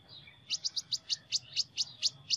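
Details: Sunbird with an unusual voice giving a quick, evenly spaced run of about ten high, bright chip notes, roughly four or five per second, above a constant thin high tone and soft low hum.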